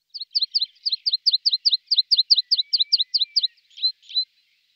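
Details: Tree pipit singing a fast run of about sixteen paired, downslurred high notes, then closing with two slower, drawn-out whistled notes; no other sounds stand out.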